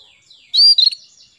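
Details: A female canary calls to a male as a lure to set him singing; a faint high murmur, then one loud clear note and a short burst of rapid chirps.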